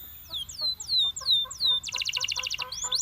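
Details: Belgian canary song: drawn-out falling whistles at a slow pace, then a quick buzzy trill of rapid repeated notes and a final rising whistle.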